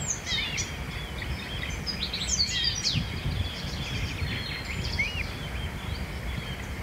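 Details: Blyth's reed warbler singing in a home town beside a busy railway, recorded through a digiscope; a varied run of quick high chirps, trills and slurred notes continues throughout over steady low rumbling background noise.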